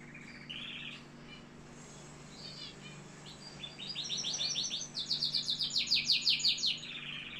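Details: Canary in Algeria singing: a few faint high chirps, then from midway a loud run of fast, repeated high trilled syllables in rhythmic pulses, falling into a softer rolling phrase at the end; steady low hum beneath.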